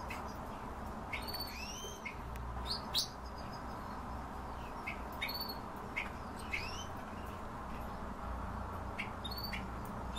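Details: Himalayan bulbul giving quick upslurred chirps, several in loose runs, some overlapping, against steady broadband background noise with occasional sharp clicks.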